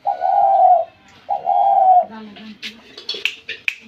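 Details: Spotted dove indoors, its call two steady, mellow, mid-pitched coos of under a second each, separated by a short pause, followed by soft human voices and sharp clicks in a small room.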